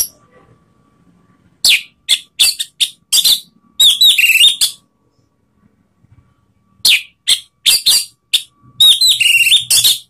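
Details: Song of an Orange-headed thrush played to provoke rivals: clusters of brief, loud, high whistles and scratchy twittering phrases, in two energetic bouts separated by about two seconds of silence.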